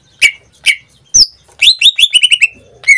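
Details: Caged greater green leafbird singing: two separate chirps, a high sharp whistle, then a rapid trill of eight quick descending whistled notes, ending in a lower slurred note.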